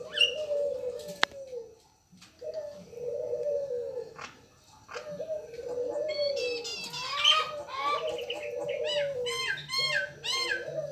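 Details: Local turtle dove (burung puter) cooing steadily in low, bowed phrases over several seconds, with a brief pause; later, rapid high chirps and twitters from other small birds crowd in.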